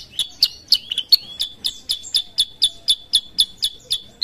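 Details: Kutilang sutra, a sooty-headed bulbul, calling energetically: loud, crisp chirps in an even rhythm of about four per second, each ringing into a short high whistle, against a quiet background.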